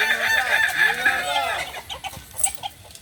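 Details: Balenggek crowing chicken (ayam kukuak balenggek) in training at Ampang Kualo, Solok: a rapid run of arched, rise-and-fall harmonic crow notes, about four per second for 1.5 seconds, then softer short clucks and faint clicks.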